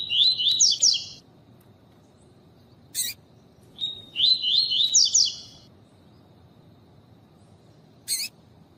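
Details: Double-collared seedeater singing a tuí tuí style song alongside a calling female, used to stimulate males; two buzzy phrases of quick zigzagging high notes, each about a second long, with short harsh chip notes between them.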